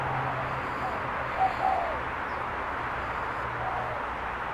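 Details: A spotted dove calls, giving two short, soft low coo notes close together, then falls quiet; a constant background hiss and a low humming drone run throughout.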